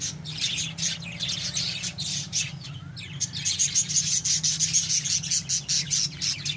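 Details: A flock of pet lovebirds keeps up a steady stream of high, scratchy chirps and squeals, briefly pausing, then resuming in quick rhythmic bursts; a low hum runs underneath.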